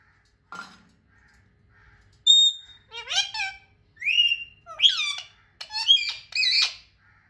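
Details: Talking pet parrots indoors: a brief low note, then a burst of harmonic squawks and whistled, rising and falling calls over about five seconds, with a short clear whistle among harsher chattering notes, in a quiet room.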